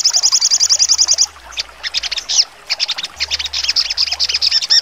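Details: Crimson sunbird (sogon) trotol song with sharp shooting notes: a quick high trill of about a second, then irregular bursts of scratchy, buzzy chirps with short gaps between them.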